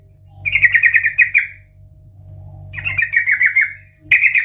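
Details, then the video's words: Sooty-headed bulbul in loud 'ngeplong' style, a lure to make others sing: two rippling, slightly descending trilled phrases about a second long, then a third phrase begins, with a low steady hum. "Trucukan gacor Ngeplong Garuda Suara KERAS - Pancingan Trucukan agar Bunyi dan Gacor"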